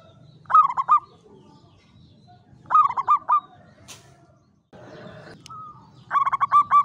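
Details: Caged local Javanese zebra dove in a classic Mataraman cage, singing in the klowongan style with a clear voice: three short bursts of quick, hooked cooing notes, the last burst longest, with a brief rustling noise between phrases.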